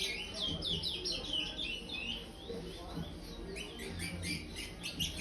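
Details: A brown five-month-old chestnut-bellied seed finch in an aviary sings praia style, repeating clear down-and-up swept whistles, several per second, then a livelier burst of high twittering notes near the end.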